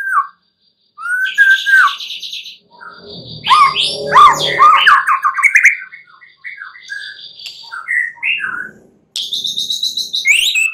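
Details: White-rumped shama singing at night as a song lure: a buzzy high trill, slurred whistles, a dense tangle of chattering notes, scattered short whistles, then another harsh buzzy trill over faint background noise.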